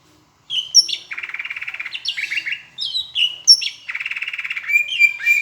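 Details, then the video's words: Greater green leafbird song from Palembang, a tutor recording flavoured with Asian brown flycatcher imitation: sharp whistled notes alternating with long rapid buzzy trills, repeated in two similar phrases, with high squeaky notes at the end. "Masteran cucak hijau rasa sikatan londo"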